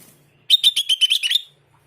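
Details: Sooty-headed bulbul training recording played to make other bulbuls answer: a quick burst of about eight sharp, chattering notes lasting one second, slightly dropping in pitch toward the end, over faint low background hum.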